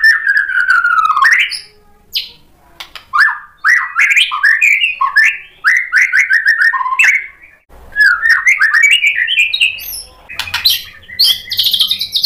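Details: White-rumped shama song played to provoke a caged bird into answering: a fast, varied stream of whistled and slurred notes, rising and falling phrases in quick succession, with a buzzy high burst near the end.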